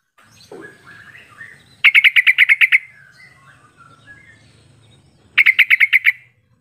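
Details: Sooty-headed bulbul lure call for coaxing other birds into calling back and forth: two bursts of about eight rapid, ringing chirps, with softer, slurred twittering between them.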